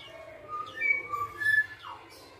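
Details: Short fluty phrase from a tame female black-naped oriole, several clean whistled notes at differing pitches in quick succession, ending with a downward-slurred note, over a low background hum.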